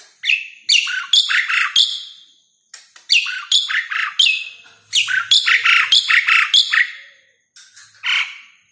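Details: Asian pied starling song used to stimulate or lure jalak suren: three rapid bursts of loud chattering, whistled and harsh notes separated by brief pauses, ending with one short squawk.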